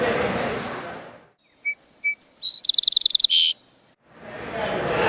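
A Song Sparrow sings a short phrase of a few sharp, high introductory notes, then a rapid trill and a closing buzz, amid murmuring room noise.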